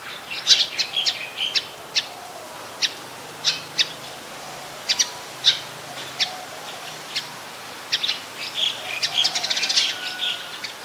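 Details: Olive-backed sunbird, also called yellow-bellied sunbird, photographed at a home: a rapid series of short, sharp high chips scattered through the clip, some in quick bursts, with faint background bird sounds.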